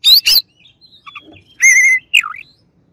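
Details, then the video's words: White-rumped shama, a kacer, singing in loud bursts: sharp high chirps, a sustained buzzy whistled note, then a swooping falling-rising phrase, separated by quiet gaps. "KACER LAWAN AUTO EMOSI DENGER INI"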